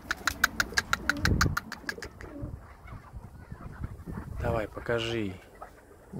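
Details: Kept chukar partridge in Krasnoyarsk calling on its owner's urging, a rapid run of hard, evenly spaced chuck notes for about two seconds, followed by a man's encouraging speech.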